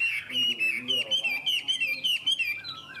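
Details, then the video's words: Chinese hwamei held in a cage in Vietnam sings a rapid series of clear, ringing whistled notes, about two per second, wavering up and down before ending in a falling slur. "Họa mi đẹp hót hay"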